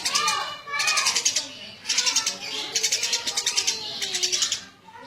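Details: Eurasian tree sparrow chattering in energetic gacor style, with four bursts of rapid, shrill chirps, each lasting about a second, and faint lower sounds in the background.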